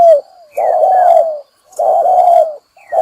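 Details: Spotted dove, recorded as a trapping lure, giving drawn-out, steady low coos nearly a second long, separated by short silences, with a faint rising chirp from another bird.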